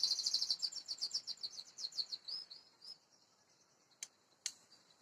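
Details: Caged male Oriental magpie-robin kept in Indonesia, fed ant eggs twice a week to keep its stamina and clear voice; a rapid high chattering run of about twenty sharp notes over three seconds, fading away, then two isolated sharp clicks.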